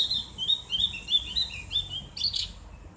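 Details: Ngriwik song from a Javan grey-throated white-eye, used as therapy audio for kept birds: a run of clear slurred whistles stepping along, ending in a harsher burst of high chatter.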